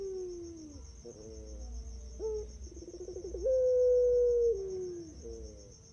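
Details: Master-recording song of a puter pelung turtle dove, used to encourage other birds to sing: a series of hooting coos, some sliding downward, with a rolling, throaty burble before a long, loud, sustained note that fades away.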